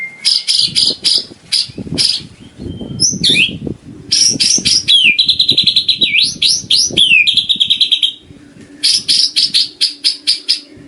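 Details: White-rumped shama singing a full, tidy set of filler phrases for training caged birds. Dense runs of staccato chirps give way to a rapid pulsing trill with rolling, swooping whistles, then more chirp bursts. Soft low knocks underneath.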